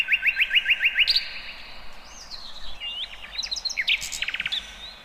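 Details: Wild birds singing in the open: a run of quick, bright rising chirps repeated about three times a second, then a high thin whistle, sliding notes and a fast, dry trill, over soft background hiss.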